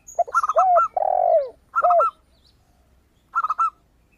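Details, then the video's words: Zebra dove singing as a lure for other birds: repeated runs of rapid, high, ringing coo notes, interleaved with a long, lower, buzzing spotted dove coo, with short gaps between phrases. "PERKUTUT GACOR suara kristal - AMPUH UNTUK PANCINGAN"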